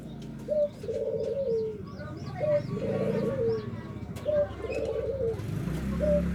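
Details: Nutut song of a local zebra dove, used to lure rival birds: bubbling trilled coo phrases that end in a drawn-out falling note, repeated roughly every two seconds over a low rumbling background and faint chirps.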